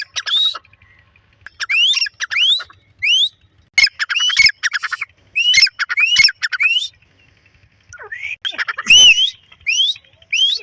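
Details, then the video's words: Grey francolin pair in a field in breeding season, trading harsh upward-sweeping notes in uneven clusters with brief pauses between bursts and one loud, rough blast toward the end. "Pakistani tetar ki awaz | teetar awaz | female teetar sound"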